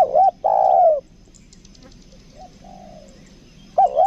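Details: Spotted dove kept as a decoy in Lombok, 'kuk dua' style, giving a phrase of two rapid wobbling notes and a long sliding coo, then a soft distant coo, and the start of another phrase at the end.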